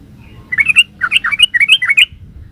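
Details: Yellow-vented bulbul pouring out a quick chattering phrase of liquid, rolling notes in close succession, the 'gacor ropel' delivery of its song, clear against a faint low hum.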